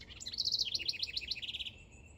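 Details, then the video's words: Male house wren in a backyard, working on building a nest; a rapid, bubbly cascade of high chattering notes, rising and falling, pours out for about a second and a half and then trails off. "House Wrens Move In | ASMR Birdsong"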